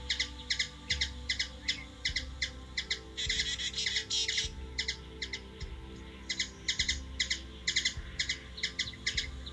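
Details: Recorded in Washington DC, USA: a hummingbird's repeated high chips, with a buzzy chattering flurry near the fourth second, against a steady low rumble.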